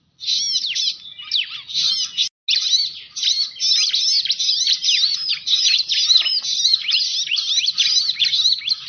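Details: Bar-winged prinia lure sound used to call in birds: long, loud stream of high chirps and down-slurred notes, with a brief gap after two seconds, then unbroken rapid chattering.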